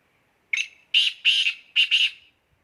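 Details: Black francolin calling in full spirit: a short harsh note, then two pairs of loud, rasping, scratchy notes in quick succession, with clean silence around them.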